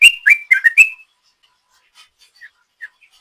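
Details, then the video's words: Sooty-headed bulbul singing a long 'ropel' style song used as a lure: a quick burst of five bright whistled notes sliding around a middle pitch, then near silence with a few faint scattered notes. "Trucuk Gacor ropel panjang,suara ropel trucuk ini paling di cari ropel mania"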